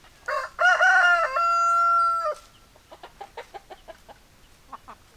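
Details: A rooster gives one loud crow, two short rising syllables and then a long flat drawn-out note. It is followed by a run of soft, quick clucks, several to the second, from chickens nearby.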